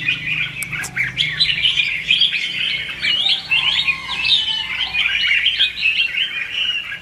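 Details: Fighting song of red-whiskered bulbul meant to lure and train birds: a lively stream of twittering whistles with a few sharp clicks at the start and a faint lower whistle in the middle.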